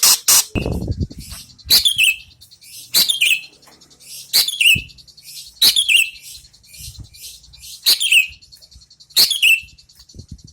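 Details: Greater green leafbird after moulting, vocal test: loud, short high notes, each ending in a bright downward slur. Repeated roughly every one to one and a half seconds, with a sharp knock at the start and quiet background between phrases.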